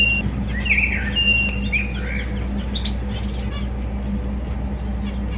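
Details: Java sparrow singing: a thin opening whistle, then quick chirps and slurred notes, a few higher tinkling notes near the end, with a steady background hum.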